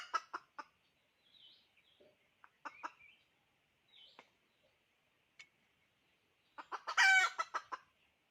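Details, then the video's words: Hen calling with scattered short clucks spaced by pauses, a few faint higher squeaks between them, then a loud harsh harmonic cackle near the end, followed by several quick clucks. "Poj qaib dib tsauj thiab seev zoo เสยงเมยไก่ต่อกะร้อง"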